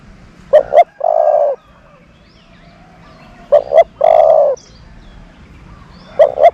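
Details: Decoy dove calling: a long steady coo, then after a pause a brisk double note leading into another sustained coo, phrases separated by quiet gaps of a few seconds; soft bird chirps faintly in the background.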